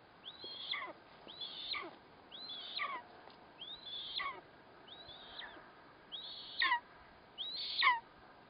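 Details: Eastern imperial eagle feeding its chick a kite it caught, 4 August 2024: seven thin, squealing calls, each sliding sharply down from high to middle pitch, about one per second, over a faint steady hiss.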